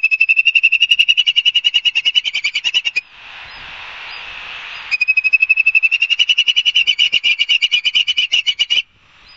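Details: Ospreys at Barnegat Light, New Jersey, on a live nest camera, 5 September 2022 at 11:06, sped up: two long, rapid runs of shrill whistled chirps, separated by two seconds of rushing noise.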